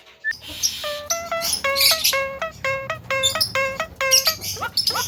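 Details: Javan myna noted for talking, used as a provoking lure: a single short whistle, then a rhythmic series of bright harmonic notes repeated about twice a second alongside hissing, chattering bursts.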